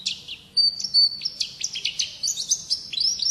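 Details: Oriental white-eye in 'ngalas' wild-style song, a rapid warbled jumble of high thin whistles and chips, some notes sliding up, sung continuously over a soft low background hum.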